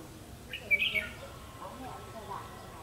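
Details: A single short warbling phrase from a red-whiskered bulbul of the 'mí lửa' type, recorded while trapping on 31 October 2016, rising then dropping, with quiet hiss afterwards.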